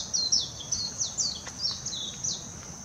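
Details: Song of a warbling white-eye in Hashimoto, Wakayama, Japan, June 2021: a high, thin warble of swooping down-slurred notes in quick succession, over a constant background hiss.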